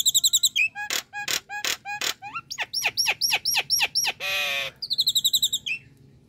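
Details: Nias hill myna call, described as relaxed and non-frightening. Rapid high trilled notes and sharp clicks lead into a series of whistled upslurs, then a harsh buzzy burst and another fast trill.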